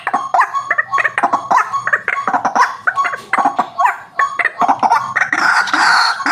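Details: Harsh, rapid croaks and grunts from a white-breasted waterhen, a sound played to lure birds, tumbling over one another in an uneven chatter, with a rougher hiss-like noise near the end.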